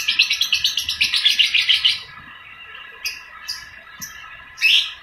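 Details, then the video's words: Young balibu lovebird in full ngekek song: a fast run of dense chattering trills for about two seconds, then a quiet spell broken by a few short chirps and a final burst of chatter. "TERAPI SUARA LOVE BIRD BALIBU GACOR NGEKEK PANJANG"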